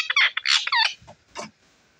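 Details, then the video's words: Pet ringneck parrot in India chattering in a rapid run of shrill, squawky, speech-like notes, followed by faint low murmurs, while its owner speaks Hindi around it. "Talking Parrot Sound | Ringneck Parrot In India | Boalne Wala Tota"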